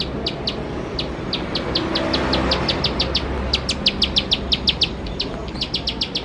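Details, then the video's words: Bar-winged prinia repeating crisp high chip notes at an uneven pace, growing faster and louder toward the end; low rumbling background. "Ciblek Sawah Gacor Nembak Nembak || Untuk Pancingan Ciblek Sawah Bahan Agar Cepat Bunyi"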